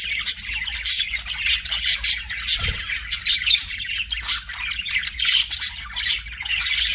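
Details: Mirror-facing pet budgie delivering a harsh, squawky warble of rapid chirps and chatter, with a soft thump in the middle.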